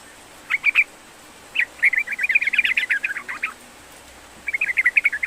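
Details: Sooty-headed bulbul singing, used as a prompt for a bird that is slow to sing: brisk bubbling phrases of rapid chirps, a longer chattering run in the middle, then another burst.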